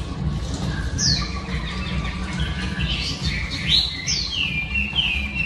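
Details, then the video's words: A female oriental magpie-robin sings to stimulate males, giving sharp downward-sliding whistles and a few longer level whistled notes, amid steady low rumbling background noise. "Than mái hót kích trống P3 Oriental Magpie Robin Female"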